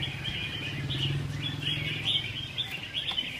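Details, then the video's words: Several Red-whiskered Bulbuls in a morning songbird singing contest in Hương Sơn, Vietnam, sing bright, bubbling phrases that overlap every second or so, over a low rumble of crowd noise and voices. "Hội Thi Chào Mào Hót Đấu"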